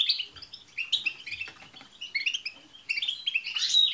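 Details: Group twittering of European goldfinches, used to get a pet goldfinch singing: rapid high chirps and buzzy trills overlapping without pause, swelling into a louder tinkling flourish at the end.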